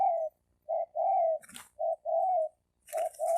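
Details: Spotted dove, wild-caught males in a fighting challenge: mellow mid-pitched coos in short and drawn-out notes, repeated in phrases about a second apart, with two brief rustling bursts in between.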